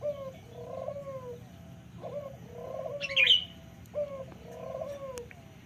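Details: Local turtle dove with paired low coos, a short lead-in followed by a long descending phrase. One bright high chirp from another bird cuts in.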